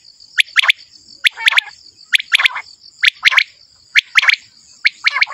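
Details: Male common quail calling in sharp, quickly descending chirps grouped in twos and threes, each group about a second apart, over a steady high insect-like drone.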